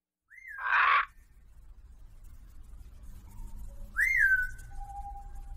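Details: Pet lorikeet kept indoors in a kitchen, recorded to entertain pet parrots: two loud whistled notes, each sliding sharply up then falling away, about three seconds apart, over a faint low room hum.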